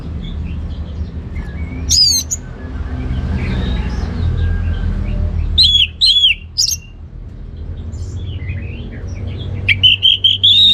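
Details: Orange-headed thrush, a kept songbird from northern Bali, giving scattered loud high whistled phrases: a sharp burst at two seconds, a cluster of ringing notes around six seconds, and a rising trill near the end, with low hum.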